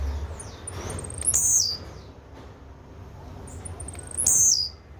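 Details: Blue-black grassquit singing: two short, very high buzzy phrases about three seconds apart, each opening with thin high ticks and ending in a sharp downward-slurred burst, over a low rumbling background.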